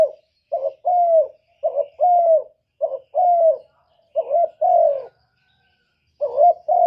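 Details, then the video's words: Spotted dove singing in the kuk 1 style, a master bird kept as a lure for other doves. Five quick phrases of soft cooing, each a brief double note and then a drawn-out falling coo, with one longer pause near the end. "Burung derkuku master gacor kuk 1 suara mantap untuk pancingan"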